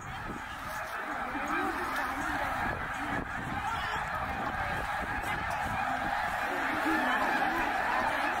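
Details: Snow geese massing during migration at Middle Creek in Pennsylvania, 2023, flying like a tornado: relentless chorus of high yelping honks, several per second, swelling gradually louder toward the end.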